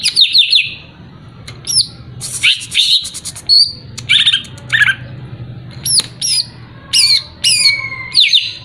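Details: Greater green leafbird singing to provoke a rival, a varied series of sharp downslurred whistles, harsh chattering bursts and clear notes repeated in short phrases roughly every second.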